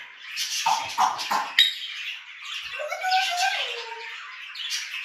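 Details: Pet grey parrot (Jaco) making harsh squawks, then a falling whistled glide, with rustling noise throughout.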